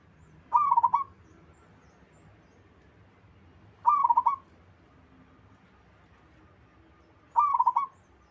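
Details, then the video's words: Zebra Dove of a local wild strain singing: three brief, rapid, trilled coo phrases arriving about every three and a half seconds, over steady low background hum. "Suara burung perkutut lokal alam gacor sekali putar lainnya ikut nyahut"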